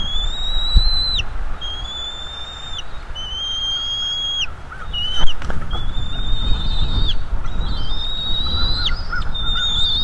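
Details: Bald eagle juveniles at a nest in North East Florida, calling during a food delivery: long, thin, high whistled squeals, mostly level with downward-bending ends, repeated in overlapping series, over a steady low rumble.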